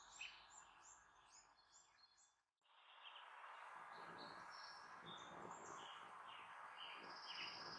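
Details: Female bald eagle at a Redmond nest calls out to her offspring from last season flying high overhead: rapid, high, thin chirps and chittering notes, several per second, briefly breaking off midway, with faint background hiss.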